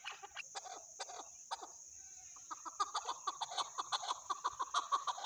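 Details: Chukar partridge giving loud, abrupt chuck notes, spaced at first and then closely repeated at about three per second, with a constant high-pitched hiss behind.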